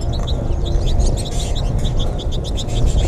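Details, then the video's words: Flock of American goldfinches at feeders in north central Florida, March 20, 2021; rapid bright chirps and sweet twitters from many birds tumble over each other without pause, set against a constant deep background hum. "American Goldfinch flock in The Final Flourish"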